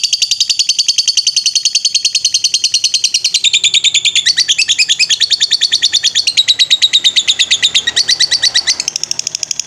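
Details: Long ngetrek chatter from a lovebird training master: a steady stream of high, clipped chirps delivered around three per second, with the pitch texture changing every couple of seconds across nearly ten seconds.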